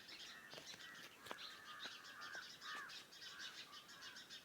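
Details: Around a farmhouse at morning, birds give short mid-pitched whistled calls over a constant bed of high, rapid chirps, with a few sharp tapping clicks scattered through.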